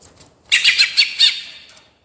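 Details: Greater green leafbird in rolling song, meant to provoke rivals: a short, harsh, scratchy burst of four or five loud notes, then quiet.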